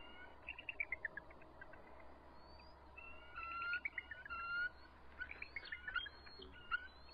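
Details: Agitated resident eagles defending their nest from an intruding adult at 7:44 pm, March 23, 2014. Rapid stuttering chitter of quick descending notes, then longer whistled calls and renewed bursts of fast notes.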